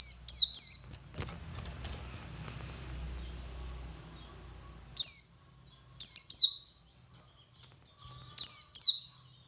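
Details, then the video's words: Male Oriental white-eye 'ngalas' song to prompt other white-eyes; opening cluster of high downslurred chirps, a stretch of low rumbling noise, then spaced pairs of sharp high notes every second or two. "Suara Burung Pleci Jantan Ngalas Memancing Pleci Lain Ikut Ngalas"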